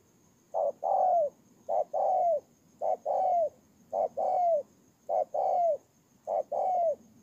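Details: Spotted dove used as a ground decoy bird, Tu Mơ Rông, Kon Tum, Vietnam, 23 September 2018: a short low note, then a longer mellow coo that drops at the end. The pair repeats about once a second, six times, in a quiet setting.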